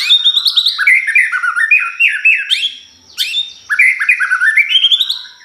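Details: Pastol song meant to provoke a white-rumped shama: two loud bursts of quick, rippling whistled notes climbing in steps, separated by a short pause, clean background.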